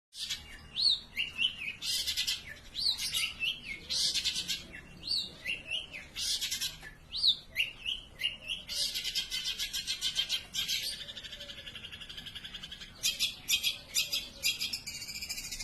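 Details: Long-tailed shrike singing without stopping: a dense, continuous run of high, sharp chirps, rapid trills and short rising whistled notes, in bursts that merge into buzzy stretches, with no other clear sounds.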